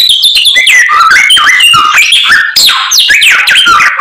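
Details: White-rumped shama singing constantly with learned isian phrases: quick sequences of rising and falling whistles, chips and slurred notes, loud and busy throughout.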